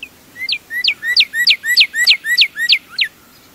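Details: Northern cardinal (Cardinalis cardinalis), song.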